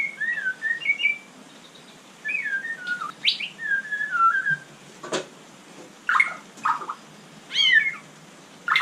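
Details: Night song of a white-rumped shama (murai batu): soft, spaced whistled phrases, some gently falling, with short sharp chips and brief rising flourishes between pauses.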